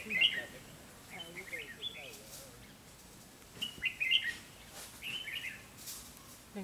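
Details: A caged red-whiskered bulbul used as a lure bird to trap a rival gives short, bright chirping phrases repeated in bursts every few seconds, with rustling and low murmuring sounds beneath.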